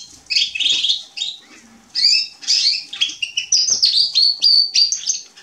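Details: Singing male Atlantic canary, 27 October 2020: short bursts of rich, high twittering separated by brief pauses, then a run of quick repeated whistled notes rising and falling, about three per second.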